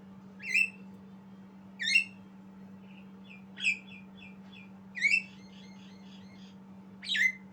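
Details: Young Javan myna learning to sing gives harsh, squawky notes with downward-slurred whistles, spaced one to two seconds apart, some followed by soft chattering phrases, over a steady low electrical hum.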